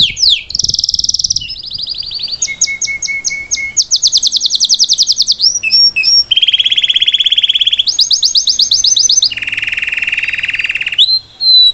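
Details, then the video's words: Salsa canary performing its song to train a youngster, a varied chain of tours: quick high trills, whistled slides, a low dense buzzing roll and rapid chattering series, continuous throughout. "Melhor canário salsa cantando para ensinar seu filhote a cantar/salsa canary singing live"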